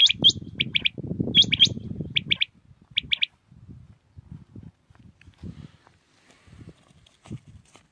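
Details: Batair, the common quail, heard in early morning in Pakistan giving rapid three-note phrases of sharp, high notes, repeated about every half second, then falling quiet as a low rumble continues and fades.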